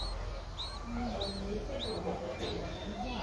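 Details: Nine-day-old Streak-eared Bulbul chick in Ubon Ratchathani, Thailand, 11 April 2023, giving faint arched squeaks roughly twice a second, partly masked by low murmuring background sounds.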